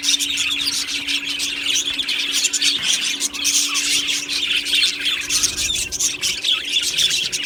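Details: A colony of Australian budgies chirping in an aviary, recorded 1 July 2025: many overlapping high twittering and warbling notes form an unbroken busy chorus, with a faint steady low hum beneath it.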